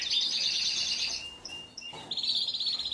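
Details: Belgian Frill canary singing: a dense high trill, a pause with brief thin notes, then a fast repeated rolling phrase, over light background hiss.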